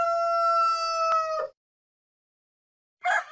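A rooster holds a long, steady, ringing crow for about one and a half seconds, then falls silent before a short, rough final burst.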